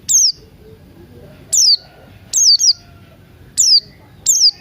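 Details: High-pitched, falling whistled chips from a Buxton's white-eye during its morning ngalas song, five notes spaced unevenly, one a close double, against a quiet low hum.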